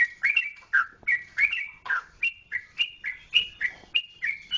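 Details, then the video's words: Lively sooty-headed bulbul song from Yogyakarta, Indonesia, made of clear, liquid two-part notes, slurring up then down, spaced evenly about every quarter to half second. "Trucukan Jogjakarta"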